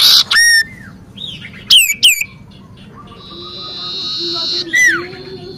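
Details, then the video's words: A common iora in lively, vigorous song used as a lure recording gives clear, high whistles, sharp downslurred notes and one long, steady drawn-out whistle. Faint lower tones hum in the background. "cipoh gacor"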